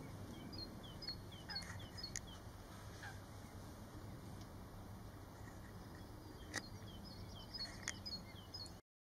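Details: White-faced whistling ducks on a farm in 2019 give a run of thin, high whistles in short bursts, several birds overlapping, over a steady low rumble of background noise.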